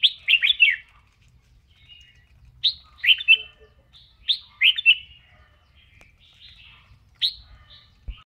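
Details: A red-whiskered bulbul sings while dancing in voice training, repeating short phrases of tumbling, slurred whistles about every one and a half to two seconds against a quiet background.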